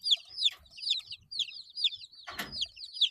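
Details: Baby chickens aged eight days give bright, sliding peeps in quick succession, broken midway by a sharp clattering noise, with light scratching sounds below.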